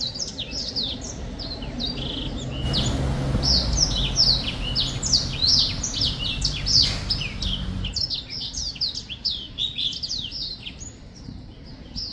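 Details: High twittering chirps and slurred whistles from a singing black-throated finch run for about twelve seconds, partly overlaid by a broad rushing noise in the middle section before the song continues clearly.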